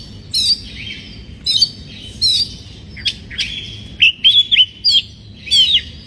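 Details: Oriental magpie-robin in breeding condition, its song used to rile other birds: sweet, high whistled notes and quick looping slurs in brief repeated bursts, faster toward the end.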